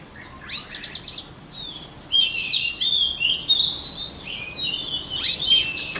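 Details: A white-rumped shama delivers varied high whistles, thin pure notes and quick chattering slurs, building after a soft opening; training song for shamas' voices, background fairly quiet.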